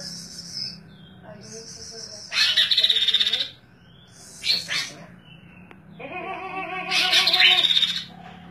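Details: Persistent song from a bird known locally as kaso-kaso, kidangan or tepus glagah, used as a tutor song: high thin notes and short whistles broken by loud, fast rattling trills in two main bursts, with pauses between phrases.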